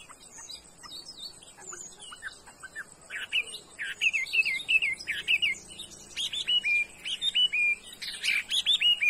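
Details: Chinese hwamei of the 'đảo' type, sold as a good singer, starting with soft scattered chirps that build into louder clipped whistled notes repeated quickly in the second half.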